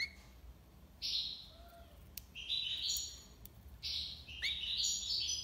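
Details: European goldfinch singing in the style named tiwawati libassad: bright high buzzy-twittering phrases in bursts after a quiet opening, with short rising whistled notes and brief sharp clicks between phrases.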